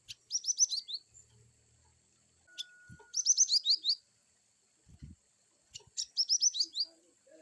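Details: Cinereous tit singing a varied wucit-style song: three bursts of rapid, high, whistled notes that slur downward, each burst about a second long and several seconds apart, with faint clicks and knocks in between.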